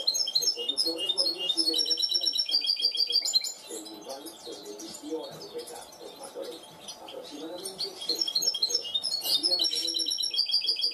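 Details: A trained goldfinch mule (goldfinch hybrid) sings a clean song: a fast, tinkling run of high twitters and trills with liquid notes, briefly quieter midway, over a faint low murmur.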